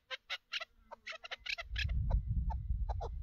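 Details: Chukar partridge calling during a partridge hunt with a string of rough, chattering chuk notes, soon joined by heavy low rumbling noise while sparser notes continue.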